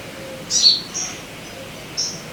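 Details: A loud high sogon chirp followed by two fainter thin notes, used to coax caged birds into song.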